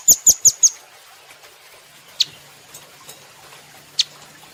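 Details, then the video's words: Velvet-fronted nuthatch, a caged bird recorded as a training model for other cage birds: four sharp, very high chips in quick succession, then two isolated high notes after a pause. "Rambatan Doraemon Super Gacor"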